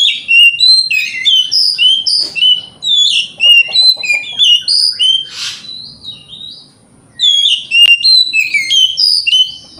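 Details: White-rumped shama singing in the morning to provoke rival birds to answer: a rapid run of loud, clear whistled notes sliding up and down, repeated without pause, with a short break before the phrases resume.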